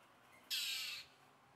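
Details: A Tropical Mockingbird, apparently angry at a sleepy cat, gives one harsh, raspy scold lasting about half a second, high and noisy, against a quiet background.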